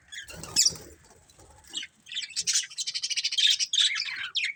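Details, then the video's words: Budgies, a colourful family group, with a soft rustle of wings early on, then quick pulsing chatter of high scratchy chirps repeated several times a second. "Cute Colourful Budgies Chirping Sounds"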